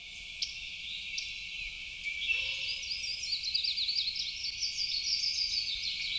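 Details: Yellow-rumped Warbler near the large lake's Phragmites margin in Prospect Park giving a high, loose trill of quick sweet notes in a narrow pitch band, rambling rather than stereotyped (possibly a first-year male); a few flat separate chips beforehand.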